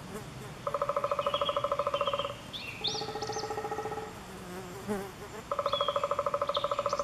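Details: Eurasian three-toed woodpecker at Chvalčov, Czech Republic, in August 2013: fast rattling series of nasal, buzzy notes, roughly a dozen per second, in bursts of one to two seconds separated by pauses, with faint thin chirps from other birds.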